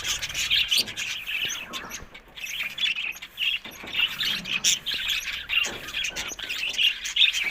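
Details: Budgies twittering in uneven bursts of high, sharp chirps and warbled notes, with quieter pauses between phrases.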